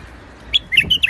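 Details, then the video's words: Rooftop-garden white-eared bulbul (Iraqi bulbul) gives a short warbling phrase: one clear opening note, a pause, then four rapid liquid whistles tumbling between higher and lower pitches. The setting is calm. "تغريد بلبل عراقي/ حدائق الاسطح / White eared bulbul / البلبل ابيض الخدين"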